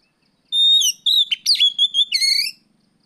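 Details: Oriental magpie-robin singing in the afternoon as a training lure for other birds: clear high whistles, a long steady note then rising slurs and rapid trilled notes, loud and clean against silence.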